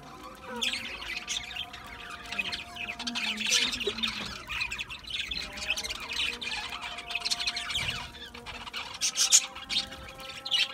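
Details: Pet budgerigars feeding on mixed seed; soft, continuous scratchy chatter with scattered brighter squawks, a steady low hum underneath throughout.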